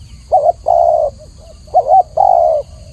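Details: Spotted dove, known locally as tekukur, singing clearly: a short two-note coo followed by a longer, drawn-out lower coo, the pair repeated twice, with faint softer notes between phrases and low background rumble.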